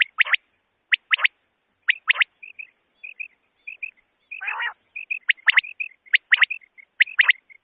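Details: Common quail, tagged as female and used as a night hunting lure, gives sharp, liquid three-note 'wet-my-lips' phrases about once a second, with soft twittering notes between and one brief rasping burst.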